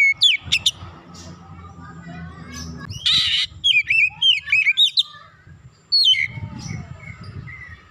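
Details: Warm-up song of an Oriental magpie-robin meant to excite aggression, with quick runs of clear whistled notes, a harsh burst, rising and falling slurs and brief silences against a soft low rumble.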